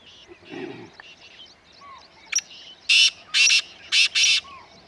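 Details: Wild black francolin calling in Corbett grassland, Uttarakhand: soft background bird chatter first, then a sharp click-like note followed by four loud, rasping, grating notes grouped in two pairs.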